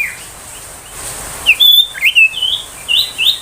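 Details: Ashy tailorbird 'tembakan' song, used to train magpie-robins and to lure and stir young wild tailorbirds into singing; after a quiet second, short high whistled notes and quick upslurs come in clustered bursts over a faint hiss.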